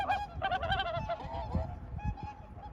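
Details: Overlapping nasal honks from swans, a cluster of bugling notes early on that fades into fainter, drawn-out calls over a steady low rumble.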